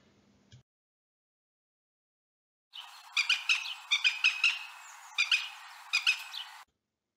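A Northern Goshawk gives a burst of harsh, nasal notes. About ten are grouped in uneven runs over four seconds, after a brief low sound at the start.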